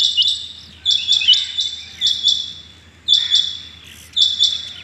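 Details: Loud rain quail (chingy bateer) morning calling on 6.7.21: ringing two- and three-note metallic bursts repeated about every second, close and dominant over a faint low hum.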